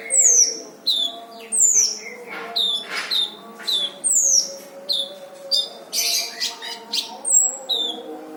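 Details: Brown-throated sunbird singing steadily, recorded as a training track for songbirds: clear, high whistled notes sliding sharply downward, repeated about every half second, mixed with short chirps and a faint low drone.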